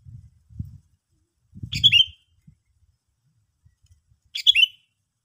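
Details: Two chattering calls of a sooty-headed bulbul, each ending in a falling whistle, with low thumping handling noises between them.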